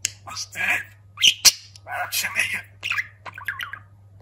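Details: Talking budgerigar kept as a pet chatters in rapid, scratchy, speech-like bursts mixed with squawks and snapping clicks, ending in quick tweets, over a constant low hum.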